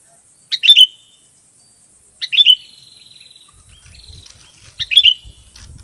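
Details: Sooty-headed bulbul from a lure-sound compilation: three short bubbly, chirping phrases about two seconds apart, each followed by a thin buzzy trailing tone, over quiet background with faint low rumble near the end.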